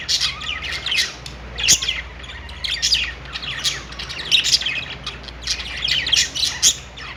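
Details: Pet store budgerigars chirping and warbling on their perch: bright, rapid clusters of high tweets come in waves roughly every half second, loudest around one and a half and four and a half seconds, with a quiet mechanical hum underneath.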